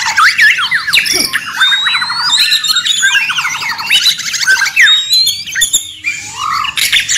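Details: White-rumped shama, presented as a noisy training recording for songbirds, pours out a crowded medley of rolling trills, clear upward-sliding whistles and scratchy notes, with phrases layered thickly over one another.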